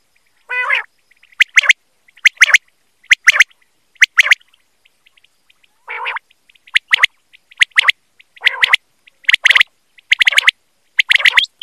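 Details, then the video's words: Quail calling recorded for quail hunting: a harsh harmonic note starts a regular series of sharp paired notes, roughly one burst per second, with a second raspy call midway. "BATAIR KI AWAZ || QUAIL CALLING"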